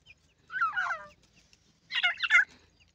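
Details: Playful francolin chicks utter two short clusters of squeaky, wavering descending notes separated by a pause, with faint low background rumble.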